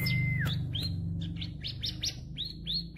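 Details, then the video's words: Vigorous song from a tame crystal-type bar-winged prinia: a flat whistled note falling away, followed by a brisk string of bright upswept chirps repeated about three per second over a steady low hum. "CIBLEK KRISTAL JINAK GACOR DOR"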